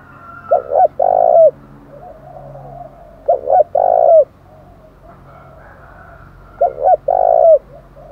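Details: Spotted dove in the 'thổ đồng' voice, a challenge call to provoke fighting: three loud coo phrases, each two short hooting notes then a long drawn coo, repeated about every three seconds, with softer cooing from another dove between.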